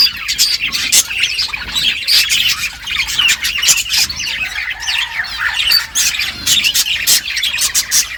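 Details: A group of budgies feeding, giving busy high-pitched chirps and squawky warbles in quick bursts, with repeated sharp clicks between calls.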